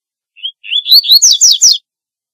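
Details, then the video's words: Double-collared seedeater calling song: a single phrase beginning with a soft rising whistle, then slurred notes growing louder into four strong, downward-sweeping chirps in quick succession. "Corbatita Canto Para LLamar 2 - Double-collared Seedeater Call Song - Sporophila Caerulescens"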